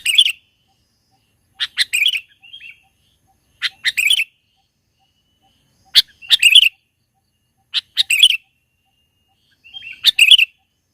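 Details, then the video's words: In mountain country, a sooty-headed bulbul sings for a trapping lure: cheerful bubbling phrases, each introduced by a sharp note, repeat roughly every two seconds, six times over, against silence. "mikat burung KUTILANG di pegunungan super GACOR bikin suara lawan tertekan"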